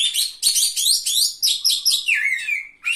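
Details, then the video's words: Contest Oriental magpie-robin, a third-place winner, pouring out rapid rhythmic bursts of bright chirped notes in quick succession, ending in a long downward-sliding whistle, loud and close. "KACER GACOR JUARA 3"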